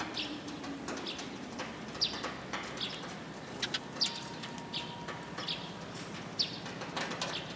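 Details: Sparrows arriving to be fed, recorded 29 March 2022 on the way out: short, high, downward-sliding chirps at irregular intervals, with a steady low hum throughout and a faint level tone in the middle.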